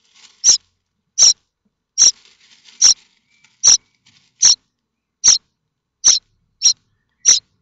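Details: Nestling common starlings at Théding, France, 7 May 2024, awaiting food-bearing parents; ten short, sharp, hissing high calls repeated steadily at under one-second intervals.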